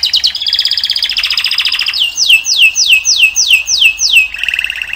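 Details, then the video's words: Singing male canary delivering a rapid trilled roll near 4–5k, then a repeated series of sharp descending whistled notes about six times a second, ending on a lower buzzy trill. "Пение канарейки . Певчий кенар."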